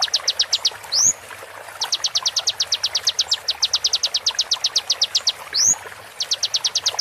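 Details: Master recording of real konin voice for coaching competition songbirds, slowed and with water therapy: rapid high ticking note runs separated by two brief rising whistled swoops.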